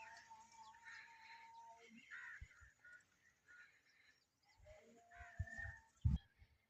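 A young rose-ringed parakeet gives soft, scratchy chirps in short bursts, with dull thumps and handling knocks close by.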